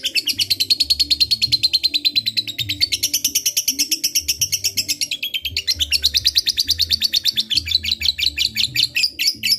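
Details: Long ngekek from a fighter lovebird, used to provoke a rival: an unbroken rattling trill of fast, scratchy pulses that shifts pitch a few times and grows looser near the end, over quiet low background tones.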